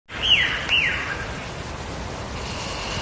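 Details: Wild lyrebird singing in Megalong Valley, Blue Mountains, Australia: two clear whistled notes, each sliding down from high to mid pitch, about half a second apart, over steady background hiss.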